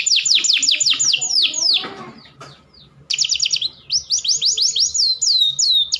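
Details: Canary mating lure for raising male breeding drive: a run of rapid descending whistled notes, a short quiet gap with a noisy rustle, then more falling and looping whistles in quick succession.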